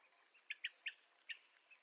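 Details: Blue-tailed bee-eater giving four short, burry chirps in under two seconds, with a steady high insect drone behind.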